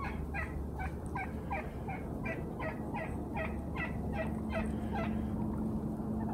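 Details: Five wild turkeys roosting and residing at Cherry Canyon Ranch, 2019–2020, give a rapid series of rattling, gobble-like notes, two to three per second, over a steady low rumble of wind or distant traffic.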